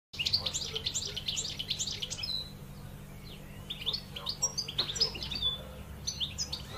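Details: Wild European goldfinch, kept in a cage in Algeria, singing a rapid twittering burst of high, jumbled notes for about two seconds. Quieter scattered chirps and trills follow, over a steady low hum.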